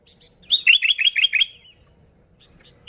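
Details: Kutilang, the sooty-headed bulbul, in vigorous gacor song used for luring wild bulbuls: a fast chain of about six bright, bubbling, down-slurred whistles, then quiet and the start of another note.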